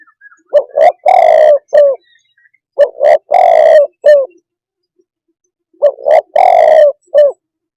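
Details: Spotted dove calling three times: each phrase is two clipped coos, a drawn-out rough coo and a short falling final note. The phrases are spaced roughly two to three seconds apart in a quiet setting.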